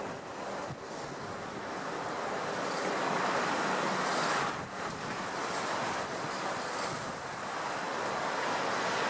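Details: Steady roar of wind and surf with microphone wind buffeting; no animal voice stands out.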